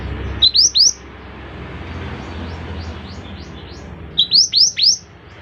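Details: Mantenan, or scarlet minivet, singing: three quick, steeply rising whistles, a pause filled with faint high chirps, then another set of three upslurred whistles, with low rumble underneath.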